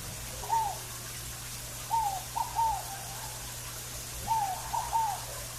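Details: Scaled dove singing amid natural ambience: soft cooing three-part phrases, each a short rising-falling note followed by two quick notes, repeated roughly every 2.4 seconds over a steady low hum.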